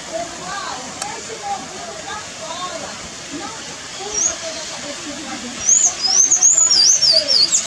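A Sayaca tanager gives a fast run of thin, squeaky, wavering high notes near the end, after a stretch of faint murmuring voices and soft background hiss.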